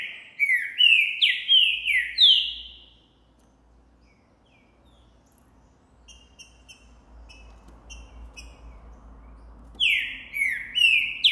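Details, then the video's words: A green-winged saltator of the boi style sings strongly in January 2024 after seeing a female. Five loud descending whistled phrases come in a burst, then a lull with faint distant chirps, then three more phrases. "Esse TRINCA canta MUITO!! O canto que ESTIMULA qualquer TRINCA FERRO a CANTAR também!!"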